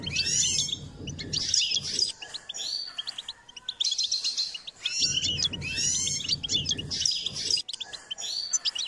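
A goldfinch sings a fast, tinkling, twittering song of bright liquid notes and trills in bursts, with a low rumbling hum underneath in places.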